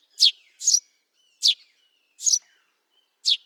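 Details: Eurasian tree sparrow in the wild calling with five loud, sharp chirps in quick succession, the first two almost back to back, then wider gaps, with a faint thin whistle between notes.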